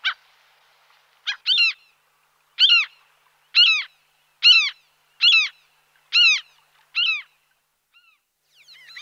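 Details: Common gull calling with a series of ringing, slightly arched nasal notes. The notes are repeated roughly once a second, about nine in a row, with quiet gaps between them.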